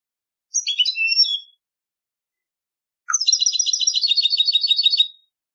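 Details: European goldfinch singing for a competition: a brief phrase of chirps ending in a drawn-out whistle, a pause, then a lively two-second stream of rapid, rhythmic, tinkling twitters. Nothing else is heard.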